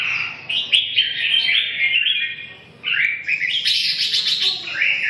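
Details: Red-whiskered bulbul giving a loud, liquid warble: long, slurred phrases break off in a short gap, then resume with a sharper, higher burst and a falling final note.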